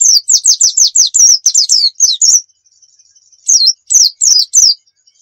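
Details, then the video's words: White-eye, nembak-style song played as a lure and tutor: rapid series of high, sharp downslurred chirps, about eleven in quick succession, a brief pause with a faint thin tone, then four more chirps. "Masteran Pleci Nembak"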